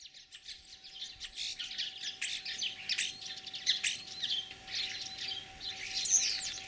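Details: Common starling mimicking other birds in spring, Kalyazin district, Tver region, Russia, 9 April 2023: a busy jumble of high chirps, squeaks and whistles, with sharp high notes about every second and a faint steady hum.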